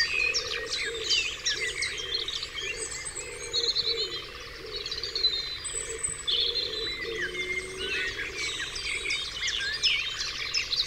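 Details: Birds in full dawn chorus on Dewlands Common: a thick wash of chirps, trills and twittering phrases from many singers, with a softer lower warbling beneath and a constant faint buzz.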